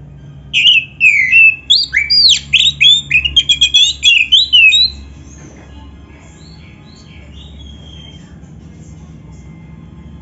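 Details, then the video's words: Oriental magpie-robin delivering lively 'gacor' song with 'isian juara' fill, played as a lure to make other magpie-robins answer; about four seconds of jumbled, rapid whistles and chatters, then near silence. "SUARA BURUNG KACER GACOR ISIAN JUARA ‼️ - Stel suara ini BIKIN KACER LAIN CEPAT NYAUT"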